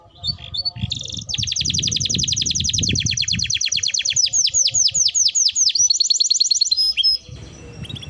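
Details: Singing canary used to stimulate others to sing, giving a long run of fast repeated downward-sweeping notes over a low murmur, with a few thin whistles near the end.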